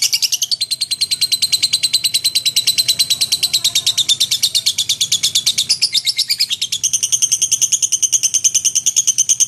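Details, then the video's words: Captive lovebird in lively song meant for teaching magpie-robins: long unbroken sequence of sharp high chirps, about three per second, shifting pitch pattern twice while the stream stays continuous. "Burung Love bird gacor untuk isian murai batu"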